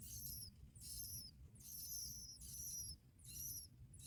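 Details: High, thin piping from bar-winged prinia young as both parents deliver black locusts. Paired sliding notes come in clustered bursts roughly every 0.8 seconds over a steady low hum.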